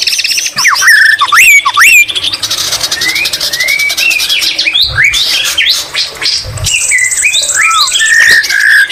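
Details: White-rumped shama singing continuously, its song filled with imitations of the greater green leafbird: bright upslurred and looping whistles, fast buzzy trills and rattles, then sweet downslurred notes, with dull low thumps twice near the middle.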